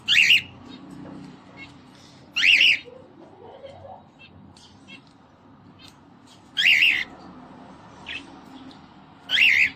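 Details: Pet cockatiel, described as singing, dancing and playing, gives loud harsh screechy calls in short bursts, four spaced several seconds apart, with a quiet low hum between them.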